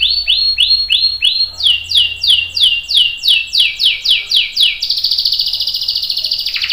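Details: Canary song used to teach young and adult canaries: evenly spaced rising notes, then a string of bold downslurred whistles, ending in a dense, buzzing roll.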